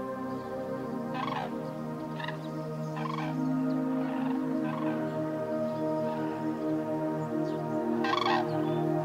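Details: Cranes calling in flight during migration, evenly spaced trumpeting notes roughly once a second, fading midway then one loud final call, over background music.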